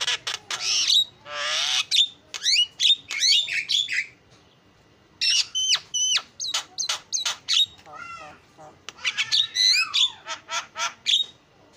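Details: Javan myna singing freely in a song full of mimicked phrases, with grating bursts, clipped whistles and downslurred notes in bouts, separated by a few seconds of quiet.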